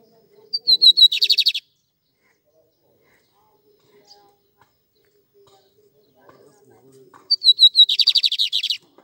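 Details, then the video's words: Caged lined seedeater male giving two loud song phrases: each opens with a few clear whistled notes, then breaks into a fast, buzzy, rattling trill of repeated elements, with near silence between the phrases. "Bigodinho Goku um Show!"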